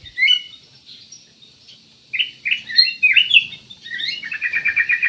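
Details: Black-crested bulbul singing: bright, chattering phrases of short slurred chirps, a quiet gap, then a rapid run of rising and falling notes ending in a quick repeated trill.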